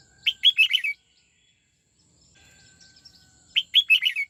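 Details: Red-whiskered bulbul trained to sing the '89 xoắn tít' style repeats its short phrase twice, each a fast cluster of five twisting whistles, separated by about three seconds of near silence.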